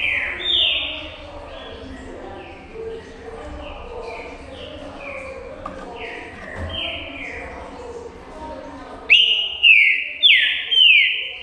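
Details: Green-winged saltator song: for most of the recording, soft echoing whistled phrases slide downward over low background murmur. Near the end, four loud, close, clear descending whistles burst out in quick succession.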